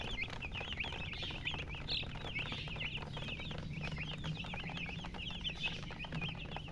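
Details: Chicken chicks chirping in a busy chorus, strings of quick high downslurred peeps repeating continuously, with a faint steady low hum beneath.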